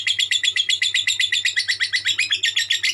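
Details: Konslet song of a lovebird, fast shrill twittering pulses about four per second, evenly spaced, rising slightly in places, with a faint low electrical hum beneath.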